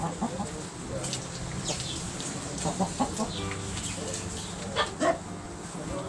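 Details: Backyard roosters and hens pecking and scratching, giving short scattered clucks and a few sharper louder calls near the end over a steady low background hum.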